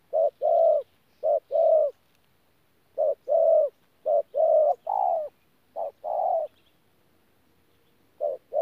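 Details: Cooing spotted dove, a local decoy bird, 'pha gù' style, recorded 14 January 2019 in Tu Mơ Rông: runs of low paired coos, short then long, broken by a silent pause before resuming.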